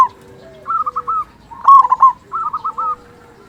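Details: Local zebra dove, a frequent singer with a big voice, used as a lure to make other zebra doves sing; short bursts of rapid, bubbling cooing notes, with softer overlapping coos between them.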